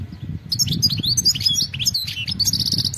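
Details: A wild European goldfinch sings continuously in bright, high, rapid twittering notes mixed with short buzzy trills and sweet slurred chips, over a low rumbling background.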